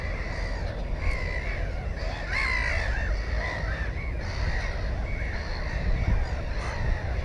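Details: Harsh, slurred gull cries from a Black-headed gull nest with one egg and one chick, filmed by GoPro 4 on 15 May 2016; a loud cluster of calls near mid-clip amid continual distant calling and heavy wind noise.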